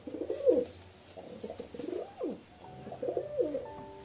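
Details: Throaty pigeon cooing, each phrase swelling up and then dropping, three or four rolling coos in quick succession.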